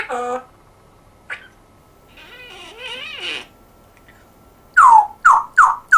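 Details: African grey parrot mimicking human speech in a Yorkshire accent; short wavering spoken phrases with pauses, ending in three loud, sharp, descending squawk-like syllables in quick succession.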